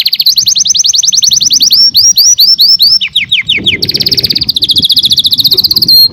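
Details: Canary song of fast rising trills and a run of down-slurred whistled notes, then a dense buzzy trill; some music seems to play in the background.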